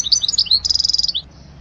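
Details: European goldfinch song for teaching young goldfinches, a short burst of high slurred chirps followed by a steady buzzy trill lasting about half a second.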